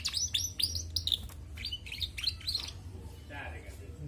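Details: Singing female canary giving a lively series of sharp, high, slurred whistles and chirps, quick and unevenly spaced, fading after about three seconds into a softer rasp; low room hum behind.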